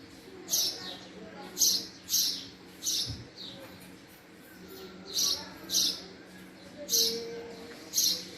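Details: Male house sparrow uttering emphatic chirps, often doubled, in irregular bursts with pauses of a second or two between them; faint low background hum.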